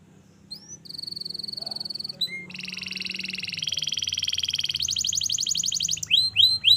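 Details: Canary singing a long training song: sweeping upslurred whistles, then sustained rapid buzzy trills at two pitch levels, a higher fast rattle, and closing upswept notes; clean recording with faint low hum.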